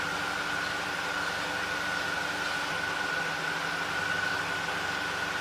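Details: Steady broadband machine-like noise with a constant thin hum throughout, and no animal voice.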